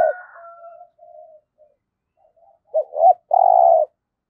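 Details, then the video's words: Spotted dove used to lure wild doves into a trap. Faint trailing notes are followed by one clear cooing phrase: two short rounded notes, then a half-second, buzzy, low coo. "Chim Cu Mồi Gáy Giọng Cũng Hay Dùng Kích Bổi Cũng Hiệu Quả"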